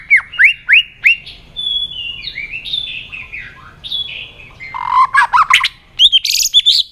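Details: Competitive song of a white-rumped shama with many voices: a fast series of rising whistled notes, then sliding whistles and warbles, a harsh chattering burst, and bright high notes to finish.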